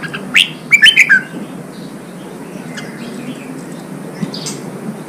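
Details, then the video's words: Red-whiskered bulbul song meant to stimulate fighting: one short phrase of four or five loud whistled notes with quick upward and downward slides, then near silence with only faint distant chirps and hiss. "Kích chào mào bổi đấu, luyện chào mào sổ giọng, kích chào mào căng lửa"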